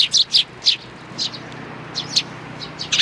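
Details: Sparrows recorded on 29 May 2019, giving several loud, sharp chirps close together at the start, then quieter isolated chirps.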